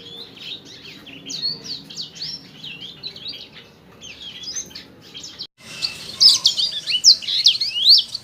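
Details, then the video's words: Sanger singing energetically on an Indonesian training recording for caged birds. Rapid, scratchy high chirps and slurred whistles arrive in busy clusters. There is a brief cut midway, and the later phrases are louder and denser. "MASTERAN Suara ASLI Burung Sanger Gacor"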